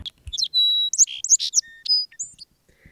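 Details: Song Sparrow singing beside a road near home on a bike birding outing. A quick, varied song of sharp high chips, a sustained pure whistle, and buzzy notes, followed by a few scattered thin notes.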